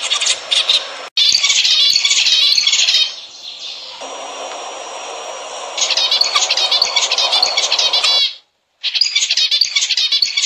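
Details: Zebra finches singing, a recording meant to encourage breeding: rapid high chattering and nasal buzzy notes in bursts, a quieter hissing stretch in the middle, then renewed chatter after a brief silence.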